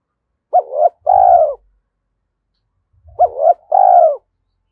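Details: Spotted dove kept as a decoy to stir wild doves to coo, thổ voice style. The phrase repeats twice, about two and a half seconds apart, each time a hooked double note and then a long, mellow, falling coo, with faint thumps.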